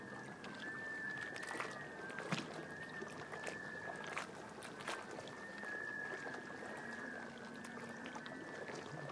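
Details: Spring flock of courting Black Scoters at Shediac, New Brunswick, mid-April 2014. Many birds give drawn-out, melancholy whistles that swell and overlap. Scattered clicks and a low wavering hum are heard against a background of lapping water.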